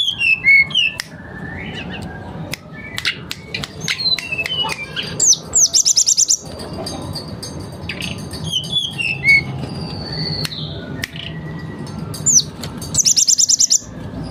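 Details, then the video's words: Mangrove blue flycatcher pouring out varied song from its repertoire: twittering whistled phrases, sweeping slurs and rapid bursts of high buzzy chips recurring every few seconds, with steady low hum throughout. "Pancingan Tledekan bakau gacor bongkar materi"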